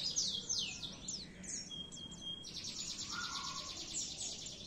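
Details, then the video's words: Oriental white-eye in a masteran tutoring recording for caged birds: opens with quick descending high chips, then a long even whistle, then rapid trilled notes. Quiet, with light background noise. "masteran burung pleci"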